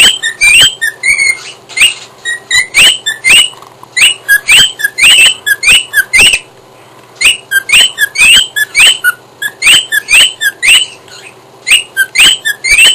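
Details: A pet cockatiel sings to an Archie comic, bright whistled chirps, many rising sharply, repeated in quick bursts.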